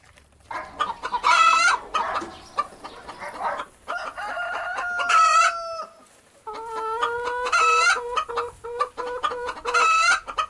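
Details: Chickens in a rural village setting among farm animals, giving loud, harsh clucking and squawking calls in repeated bursts, some drawn out and strained, with overlapping fowl voices and short quiet gaps between outbursts.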